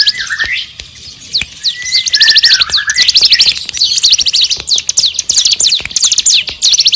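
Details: Vigorous bar-winged prinia song for tutoring other songbirds: a wavering, descending whistle opens, then comes a long stream of fast, sharp, high chirp bursts.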